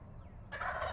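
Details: Wild turkey longbeard gobbling from the roost before flying down in Pennsylvania: after half a second of quiet, a sudden loud rattling gobble bursts out and runs to the end.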